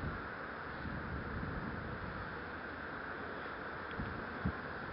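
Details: Low, even wind and distant traffic-like rumble across a marsh, with a faint knock near the end and no animal voices.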